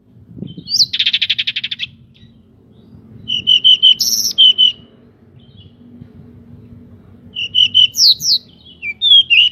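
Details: Local pied bushchat singing hard with wings spread, a lure recording to get other bushchats singing fast and fired up: a dry buzzy rattle of about a dozen pulses, then short bright whistled notes in two bursts over faint low hum.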